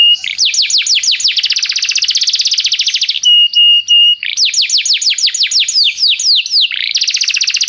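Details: Song of a canary recorded as a training tutor: quick descending trill notes and a dense buzzy roll, broken midway by a level pure whistle, then more falling trill notes and another roll.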